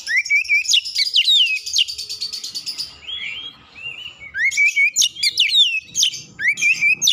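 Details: Excited oriental magpie-robin lure song to push another bird into singing: quick volleys of sharp whistled notes and rising slurs, a softer mid-clip lull of gentle warbles, then more loud rapid phrases.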